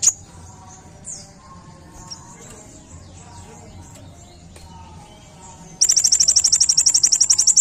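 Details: Kolibri ninja, the olive-backed sunbird, in a training recording: a quiet stretch of faint high squeaks and soft background hiss, then an abrupt, loud, very rapid high-pitched trilling burst near the end.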